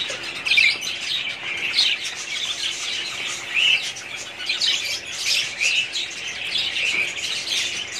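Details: Many budgerigars in a breeding colony, 2017, chatter steadily: sharp high tweets and short squawks layered into a continuous twittering wash, louder notes every second or so.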